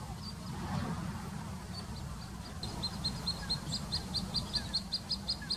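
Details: Little grebe at Plaiaundi, Txingudi, Irun, Gipuzkoa, in September 2019. Scattered high notes build into a quick, even series of sharp, high-pitched pips that continue to the end, over a constant low rumbling background.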